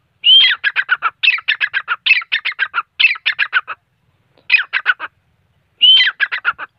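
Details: Grey francolin (teeter) calling steadily: phrase after phrase, each opening with a sharp whistled note and followed by four to six rapid, evenly spaced clipped notes, with a brief pause before the last phrase. The background is quiet.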